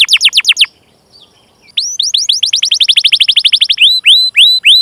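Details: Canary song serving as a training lure: a short burst of rising chirps, a pause, then a rapid rolling trill of upslurred notes ending in slower, louder whistled notes.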